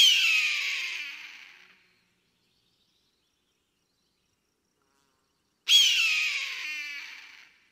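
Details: Hunting eagle soaring overhead, uttering two long, raspy screeches about five seconds apart, each loud at first, then tapering away and dropping in pitch, with silence between them.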